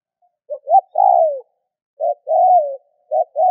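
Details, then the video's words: Spotted dove coo used to get other doves calling fast: two full three-part phrases, each with a short note, a rising note and a long falling coo, and a third phrase beginning at the end. "Tiếng cu gáy kích bổi nhanh gáy hiệu quả"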